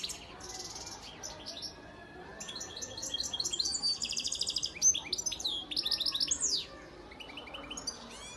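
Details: European goldfinch, a father bird from Antalya, Turkey, recorded in 2018, singing a song tagged with the Turkish styles velisvelis, kabaşakşak and çipetpet: fast, dense, bright twittering of buzzy trills, chips and sweeping whistles, with brief quiet gaps.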